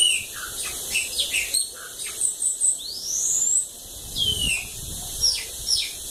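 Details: Bananaquit in the cachorro loco da lagoa d'água song style, giving high rising thin sweeps, short sharp chips and brief twitters, with a soft low rustle midway.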